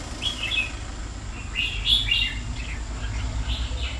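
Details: Red-whiskered bulbul, a pet bird of two years, sings soft repeated whistled chirps at an uneven pace, partly masked by broad background noise and low rumbling.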